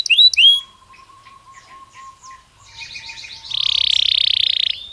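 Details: Belgian canary song, sung naturally: a few sharp high chirps, then a steady low whistled tone under soft twitters, building into a dense, buzzy rapid trill held for over a second before a brief upward note.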